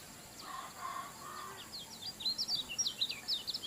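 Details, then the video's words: Kecial kuning, a kept songbird, singing; a fast run of high, thin, sharply slurred chirps, roughly two per second, over steady background hiss with lower, fainter notes beforehand. "kicauan kecial kuning super ngejos"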